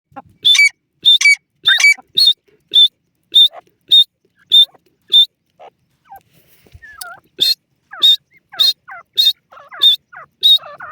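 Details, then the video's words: Male francolin (teetar) calling while excited by a female: sharp, high, clipped notes repeated about every half second, then a short pause with softer squeaky sounds before the loud notes resume. "Small children are scared by the sound of the pheasant,laraka teetar"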